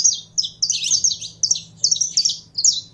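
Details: Caged saffron finch, a Brazilian canário-da-terra kept by bird fanciers and being warmed up to sing, giving a fast run of high, bright chirped notes in bursts about every half second, with a faint low hum underneath.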